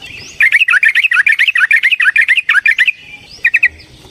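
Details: Yellow-vented bulbul singing a long fighting song to provoke a rival: a dense, rapid chain of about twenty bouncing, liquid notes, then a short three-note tail after a pause.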